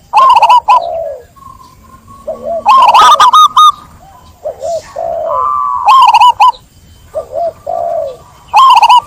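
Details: Zebra dove phrases of soft low hooked coos and falling notes, mixed with loud, bright, stuttering bursts of ringing notes and a long steady whistled tone; several birds seem to call together.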